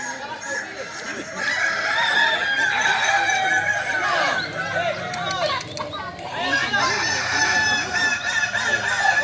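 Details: Kokok balenggek chickens crowing at the Sawahlunto practice contest final, 16 July 2023: dense chorus of overlapping crows in wavering tiers, with talking people and clicking noises among them.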